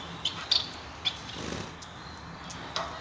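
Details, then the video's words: Male Society finch, also called Bengalese finch, singing: a loose run of short, high, thin chirps, about five notes spread unevenly across three seconds with quiet gaps between them, over a faint low background hum. "Society Finch Singing"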